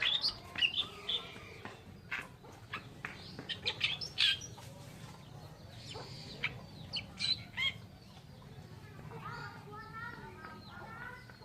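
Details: Oriental reed warbler's grating chatter in the first half, fading into quieter whistled calls of other birds against steady background hiss.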